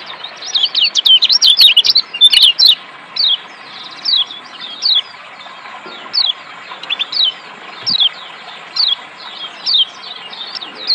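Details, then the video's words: Kecial kuning, the Lombok white-eye, in therapy audio for reluctant singers: an opening rush of fast chirping notes, then evenly spaced high, falling whistled phrases about every second, with soft hiss throughout. "terapi Kecial kuning ampuh bikin Kecial kuning malas Bunyi jadi gacor"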